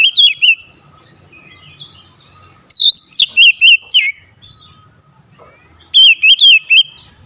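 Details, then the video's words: An oriental magpie-robin, or kacer, sings back at a rival with clusters of rapid, ringing whistles that swoop up and down, separated by quieter gaps with faint distant chirps. "PANCINGAN KACER LANGSUNG GERTAK LAWAN | LAWAN PUN BALAS GERTAK"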